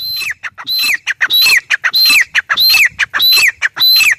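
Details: Grey francolin, or teetar, delivering an insistent train of piercing, rasping phrases, each a high whistled tone bending down, repeated quickly and evenly about every half second with short clicks between.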